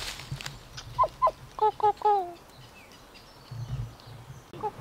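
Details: Injured captive Kokako giving its name-like call: two short pure notes, then a quick run of three fluty notes ending in a longer, drawn-out falling tone, followed by quieter notes and low background rumble.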